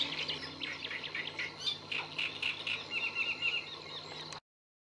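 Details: Great reed warbler song recorded on 30 April 2022 at the Lagunas de La Guardia, Toledo: rapid repeated grating notes building into a rhythmic series of four or five identical chirps, with a faint low hum underneath, ending abruptly.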